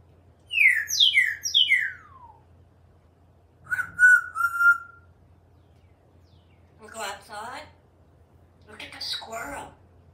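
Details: Talkative African grey parrot living in a Texas home serenades birds and squirrels from a screen porch: a run of four quick descending whistled slurs, then a steady whistled tone, followed by softer chattering, speech-like sounds.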